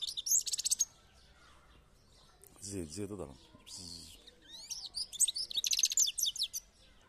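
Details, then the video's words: European goldfinch song in rapid, sparkling bursts of high twittering and buzzy trills, separated by a pause where a man's voice is heard, then a long energetic twitter. "تغريد الحسون او المقنين ممتع chardonneret élégant"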